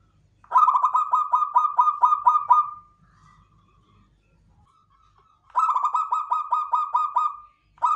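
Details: Long pulsed cooing phrases from a local klowongan zebra dove. Each run has about eight rhythmic throbbing notes over two seconds, ending in a sustained tone. A second phrase follows after a quiet pause with faint low rumble.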